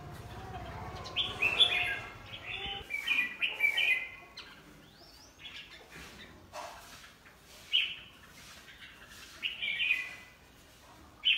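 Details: Tame red-whiskered bulbul singing after being let out: lively clear whistled phrases of quick warbling notes, delivered in separated bursts every one to two seconds with quiet pauses between, light background noise.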